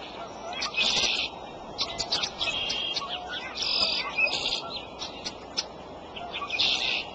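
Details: Bald eagles on the Decorah nest cam, the mother feeding her eaglets on April 13 at 8:37 in the morning; loud, high, squeaky chirping in bursts and clusters throughout, over a steady background hiss.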